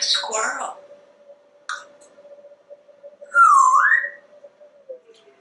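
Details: Pet male African Grey Parrot, hatched 1997, living in a Texas home, vocalizing indoors: a short scratchy syllable and a click, then a loud clear whistle that rises and falls and rises again, over a constant low hum.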